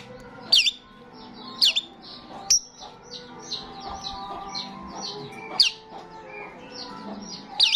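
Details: Starling singing actively, meant to attract starlings: loud sharp downslurred squawks separated by a quick series of softer repeated chattering notes, roughly one to three seconds apart.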